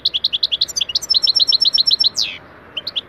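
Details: European goldfinch song recorded for training: a quick series of bouncy two-tone twitters, a fast chip run, a downward-sweeping buzzy slur, then a few soft notes.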